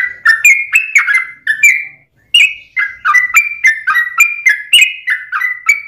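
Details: Liquid, chortling song of a yellow-vented bulbul, used to provoke other bulbuls into singing: quick strings of warbled whistled notes rising and falling, with one short break midway.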